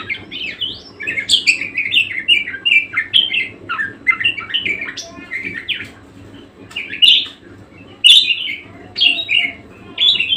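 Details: Parkit or kesturi, a budgerigar, chattering song: bursts of squeaky, buzzy warbled notes in busy runs, a quieter pause midway, then louder sharp chirps and rasping phrases resuming.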